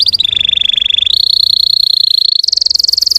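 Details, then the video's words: Russian canary lure song meant to rouse untrained canaries: one continuous rapid rolling trill that steps upward in pitch three times. "PANCINGAN SUARA BURUNG KENARI RUSIA UNTUK MANCING EMOSI BURUNG BAHAN"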